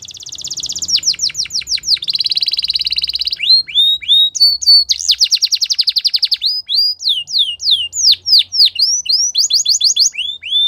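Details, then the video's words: Singing Belgian canary, training song: a quick descending trill, a dense buzzy roll, long runs of sharp rising notes repeated several times a second, and loose strings of upslurred whistles near the end. "Belgian Canary | The Best Canary Training Song"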